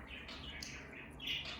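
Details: Pet conure, said to act like a tiny budgie, chirping while enjoying its food: soft, high warbled chirps run steadily, growing brighter and busier near the end, over low room hum.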